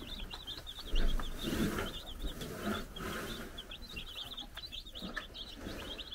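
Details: Baby chickens, four days old, on a Czech farm under a brood hen's watch, producing a steady stream of high, wavering peeps from several chicks, over low rumbling background noise.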